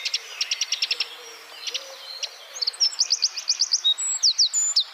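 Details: Wren in rapid 'tembakan' (gunfire) song style, used as training material for songbirds: short bursts of closely repeated high notes, then a faster run of sharp downslurred notes in the second half.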